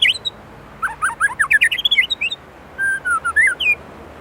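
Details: White-rumped shama from Indonesia in isian-rich song: a quick tumbling run of short looping notes, then a brief pause and several clear slurred whistles.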